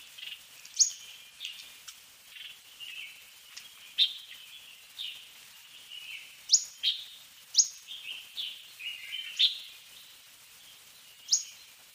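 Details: A fork-tailed sunbird (Aethopyga christinae) sings a long series of thin, piercing high notes and brief twitters, the sharpest ones spaced irregularly about a second apart.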